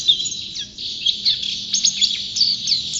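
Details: Champion white-eye (pleci) in full continuous song: a dense stream of thin, high, rapid chirps and twittering notes with quick up-and-down slurs, barely a pause throughout.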